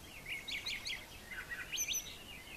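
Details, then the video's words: Morning song of a brown thrasher on a farm yard: a quick run of chattering slurred notes, a short pause, then another burst of rapid varied notes. "Brown Thrasher Morning Song"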